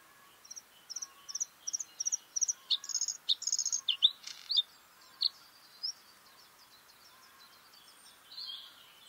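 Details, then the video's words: Bluethroat singing: a run of about a dozen high, sharp chirps at a steady pace, then a denser burst of clicking and buzzy notes, and fainter scattered chips fading toward the end. "Bluethroat (Luscinia svecica) song"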